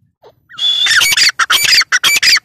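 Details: Female grey francolin calling: a short rising note, then a loud burst of harsh, ringing calls repeated in rapid, uneven pulses.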